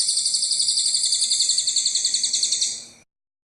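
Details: Cililin in full song for training other birds. A long, loud, buzzy high trill pulses about seven times a second, holding steady for three seconds before cutting off.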